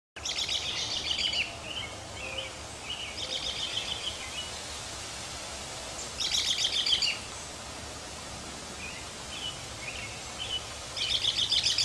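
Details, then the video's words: Robin chicks in a backyard nest in June, calling in harsh, buzzy bursts of high chirps about every three to four seconds, with soft single chirps between and a steady outdoor background hiss. "Backyard Robin babies"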